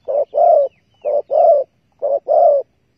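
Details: Close spotted dove calling beside a bare-bait bird trap on 15 August 2020: three clear pairs of coos, each a short note then a fuller, longer one, in quiet surroundings.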